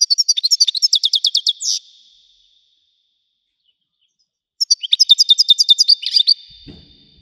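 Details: European goldfinch singing in the wedani style: a quick run of bright, high twittering notes with a buzzy ending, then a pause of nearly three seconds before a second twittering burst with a fading trill.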